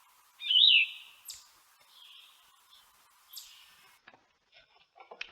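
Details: Raspy Yellow-throated Vireo song: one strong hoarse slurred phrase followed by fainter scratchy notes and short high downslurs, ending in soft clicks and rustling.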